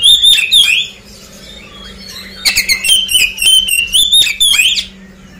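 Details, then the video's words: Oriental magpie-robin song used as a lure to prompt a quick response from a bird that has just finished moulting; loud whistled and chattering phrases with rising notes and rapid sharp chirps in two bursts, separated by a quieter pause, with a low steady hum beneath. "Ampuh pancingan Kacer selesai mabung agar cepat respon."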